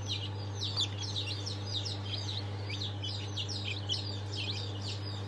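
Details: Newly hatched chickens of Sultan, Fizan and İspenç breeds, a crowded chorus of sharp, downslurred peeps repeated continuously, with a loud steady low hum throughout.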